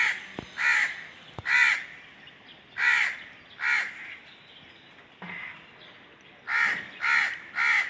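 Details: Repeated harsh caws of a crow in loose groups of two, separated by short pauses and a few sharp clicks, ending with a run of three rasping caws.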